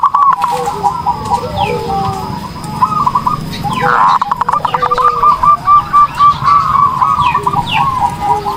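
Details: Zebra dove song meant for training other birds: a fainter, rapid series of short cooing notes gathering pace toward the end, partly masked by steady background noise and sharp clicks.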